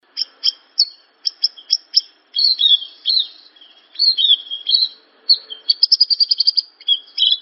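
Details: Javan bush lark song used as a training recording for other songbirds: bright chirped notes around high pitch, rapid repeated trills and slurred whistles in quick bursts, with short pauses between phrases.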